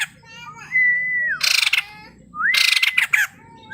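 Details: Male white-crested laughingthrush with long, level whistled notes that rise and then fall away, mixed with dense, harsh rattling bursts, over a low background rumble.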